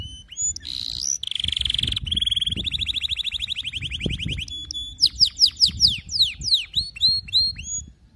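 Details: Canary singing for teaching young canaries: a sequence of rapid rolled trills and buzzy tours, followed by loud sweeping downward whistles and spaced chirps, with faint low background rumble.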